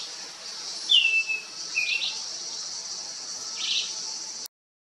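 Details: Greenish Schiffornis at Alto da Serra de Paranapiacaba Biological Reserve, Santo André, São Paulo, Brazil, 19 December 2020, giving clear whistled notes, one long note sliding downward then two shorter ones, over a steady high insect drone.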